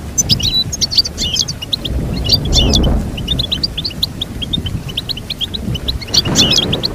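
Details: Goldfinch song with lively rapid tweets and tinkling trills running throughout, set against noticeable low rumbling background noise.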